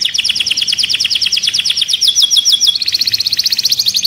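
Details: Caged canary, agitated, sings a rapid even trill of falling notes that slows slightly, then switches to a finer, buzzier high roll.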